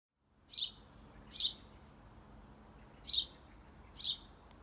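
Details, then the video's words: Young common blackbird in a garden, parents nearby, recorded on an iPhone: four short, sharp high calls spaced irregularly about a second apart, each a brief bright note, over a faint low hum of background noise. "Baby Blackbird in the garden"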